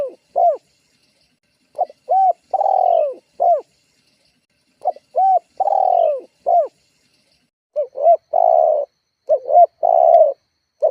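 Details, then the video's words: Lure call of a spotted dove, meant to provoke rivals and draw caged doves into calling: several phrases of clipped coos leading into a long sliding coo, coming closer together toward the end. "Suara tekukur GACORR menekan emosi lawan"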